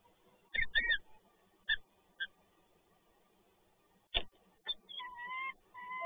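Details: A peregrine falcon with prey at PGE Toruń, 30 March 2022, gives harsh, wailing calls that bend up and down, in short bursts and then a drawn-out series, with a few dull knocks in between.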